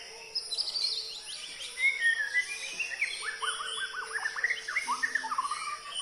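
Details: White-rumped shama singing a varied, fast medley of high whistles, slurred notes and rapid chattering runs, over a steady high insect hum.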